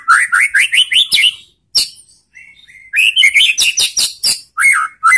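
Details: White-rumped shama song to provoke rival shamas into answering: loud rapid series of sharp chirping notes with rising whistles, a brief pause, then another fast energetic burst of ringing notes.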